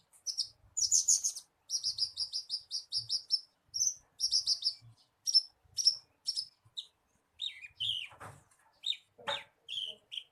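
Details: Bushlark song played as a lure so a kept bird starts singing quickly: rapid high twittering runs, then separate sharp chirps and a few downslurred, harsher notes toward the end.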